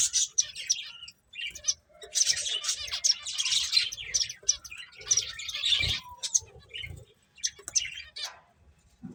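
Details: Finches chirping while eating: scattered clusters of high, sharp tweets, with quieter stretches between bursts of twittering.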